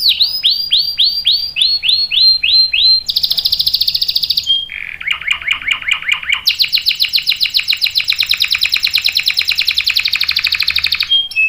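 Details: Canary in full, active song with a long roll, used as a tutor for young birds: a run of dropping sweeps, then a high buzzy trill, a lower rolling warble, and a long, very rapid ringing roll.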